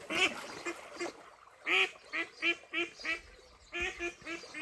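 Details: Duck quacking at a Welsh pond where ducklings are present, dated 23/5/26: about ten loud, harsh, nasal quacks, some in quick pairs, each short and rich in overtones, with quiet gaps between and little background noise.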